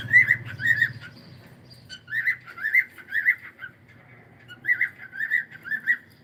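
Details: Pet cockatiel repeating bright, warbled whistle calls in quick pairs and triplets, with short pauses between bouts; a low rumble underlies the opening second.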